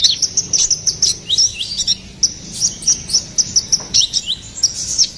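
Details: Ruby-cheeked sunbird, locally konin kolibri ninja, singing briskly in gacor style: a steady series of crisp, very high chirps at a regular rapid pace, mixed with short upward-sliding twitters.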